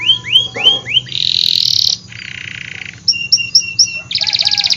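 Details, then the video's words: Canary singing vigorously, in a recording meant to coax reluctant and young canaries into song: rising whistled swoops repeated four times, then a buzzy high roll, a lower rattling trill, clipped chips and a fast pulsing trill. "Kenari Gacor Af , Pancingan Kenari Sulit Bunyi dan Kenari Paud"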